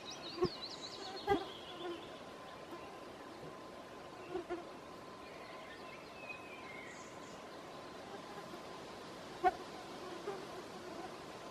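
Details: A willow warbler sings in a forest at midsummer in Southern Savonia, Finland: a soft, sweet phrase cascading down the scale, with a fainter phrase later, over steady woodland hiss and a few sharp knocks.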